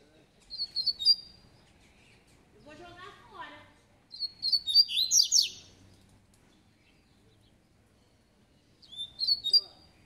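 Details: Double-collared seedeater, a spirited coleiro of the tui-tui song style: short phrases of bright, slurred, high whistled notes, a busy twittering run, and a repeated phrase after a long pause, in a quiet setting.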